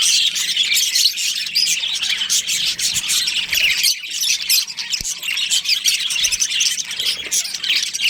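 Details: Budgerigars from a breeding pair in a budgie colony, a dense, continuous chatter of high, scratchy chirps and squawks overlapping throughout, with a brief low thump near the fifth second.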